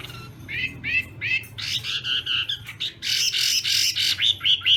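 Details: Chinese hwamei in a singing contest during morning training: a few clear rising whistles followed by rough, buzzy, broadband rasps in quick pulses, closing with short whistled notes, over a noisy background.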